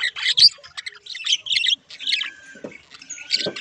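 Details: Singing budgerigars, including a rare halfsider mutation, warble in a fast run of scratchy chirps and squawks, high and busy, with brief pauses between bursts.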